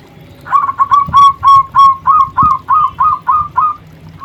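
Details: Zebra dove, a local persistent singer used to draw other doves: about twelve clear, rounded cooing notes at steady pitch, evenly spaced near a quarter second apart, with faint clicks below.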